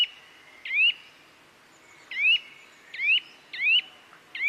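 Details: Bird chirping with quick upward-sweeping notes at uneven gaps of under a second, each chirp loud and clear over a soft steady background.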